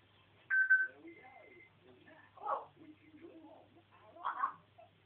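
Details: Pet African grey parrot ranting indoors: a bright whistled note and a thin level tone, then mumbled speech-like syllables broken by two harsher, louder bursts.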